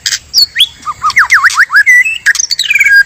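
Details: Male and female white-rumped shama song used as a lure for trapping: a string of swooping V-shaped whistles, a steady whistled note, then a descending sweep.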